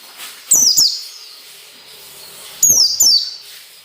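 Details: White-eye in ngalas nembak style, a recording for teaching caged birds: two bursts of paired sharp, high, falling whistled notes about two seconds apart over a quiet high twitter.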